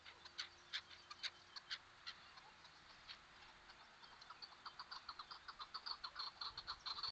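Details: Chukar partridges giving conversation calls: short, dry clucking chuk notes, scattered at first, then quickening into a rapid, rolling chatter of overlapping voices.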